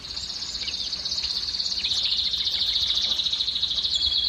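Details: Canary song used to excite females into breeding: one continuous, very fast high-pitched trill, pulsing evenly for the whole stretch with slight background hiss.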